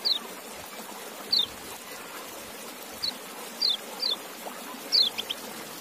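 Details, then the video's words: White-eye, called kecial locally, giving six thin, high, down-slurred call notes at uneven intervals across about six seconds over a soft steady background hiss. "Relaksasi Suara Kecial"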